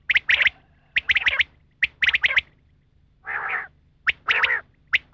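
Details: Female rain quail call used in hunting: clusters of quick high chirps broken by a longer, rough, buzzy burst in the middle.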